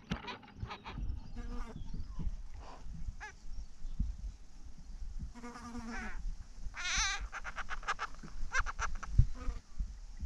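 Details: A Carnaby's black cockatoo (Zanda latirostris) nestling gives wheezy, nasal, bleat-like begging calls in uneven bursts, with a steady low rumble underneath.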